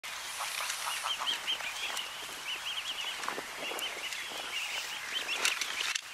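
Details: At Blönduós, Iceland, in June 2019, greylag geese (Anser anser anser) keep up a steady, overlapping chorus of nasal honks and cackles for six seconds, with a faint high hiss behind.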